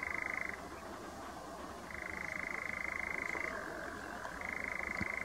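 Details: Nightjar on Ideford Common: a long, steady, mechanical churring trill that runs for seconds at a time, switching between a higher and a slightly lower pitch, with brief breaks between bouts; quiet rustling background.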